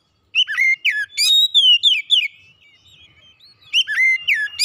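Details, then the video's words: Oriental magpie-robin kept at home sings lively whistled phrases of chips, slurs and long descending notes, pauses about a second, then resumes with another quick burst. "kicauan indah memancing suara Kacer rumahan ikut gacor"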